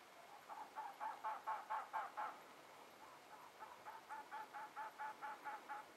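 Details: Elegant trogons, two well-plumaged males answering each other in the Huachuca Mountains of southeast Arizona on April 12, 2009; a run of about eight harsh, barking notes, then a quieter second series of similar croaks at a steady rhythm.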